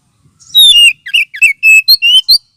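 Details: Lure and therapy sound of an oriental magpie-robin for birds lacking aggression: a descending whistle followed by a string of short, sharp whistled notes and a final rising note, delivered quickly and loudly.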